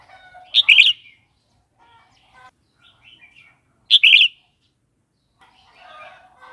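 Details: Red-whiskered bulbul song meant for teaching young birds and stimulating wild-caught ones: two short, loud, chirpy warbled phrases some three seconds apart, with faint twittering between.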